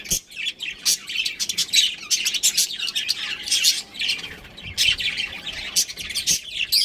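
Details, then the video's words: Budgerigars kept as a breeding pair give a steady stream of high, scratchy chirps and warbled chatter, rapid and overlapping throughout with little pause. "Cute Budgies Chirping Sounds"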